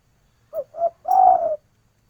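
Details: One complete phrase from a female spotted dove calling the male: two short mellow coos, then a longer sustained coo that slides slightly downward. The background is quiet.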